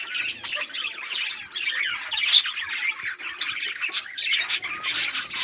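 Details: Chattering budgies on 18 July 2023 give loud raspy squawks and bubbling warbled chirps in rapid succession, an unbroken, noisy conversation of several birds with clean, quiet background.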